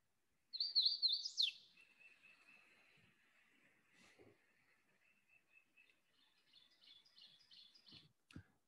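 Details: Spring in South Carolina: a Hooded Warbler gives a loud, clear slurred phrase ending in an emphatic upslur, heard from a dirt road, followed by a faint thin trill and distant crescendoing "teacher teacher" Ovenbird song.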